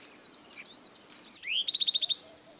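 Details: Yellow-eyed babbler calling: a rising slurred whistle running into a fast series of about seven clear, bright chip notes, with softer high twittering and steady background noise before it.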